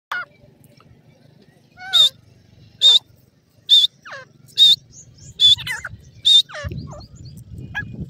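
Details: Pheasant chicks fighting among themselves in a forest; loud rising peeps repeat about once per second, with softer chirps between and a low rumble of background noise toward the end.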